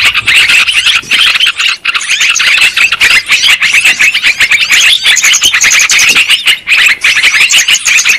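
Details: Lure recording for catching yellow-vented bulbuls, with many birds chattering nonstop: a dense mix of squeaky chirps and short rising whistles, a few momentary lulls, no other sound sources clear.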